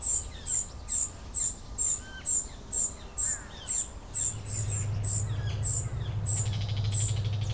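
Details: A young common cuckoo, an immature bird being fed by its Vinous-throated parrotbill foster parents, gives thin, very high hissing notes, about two per second, in a steady insistent series; a low rumbling hum rises in the background.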